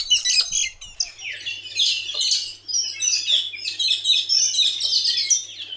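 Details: Metallic starlings, a species that migrates from New Guinea to Far North Queensland in spring and gathers in large noisy forest flocks, give a dense continuous chatter of high, harsh, squeaky and buzzy notes overlapping without pause, over a low steady hum.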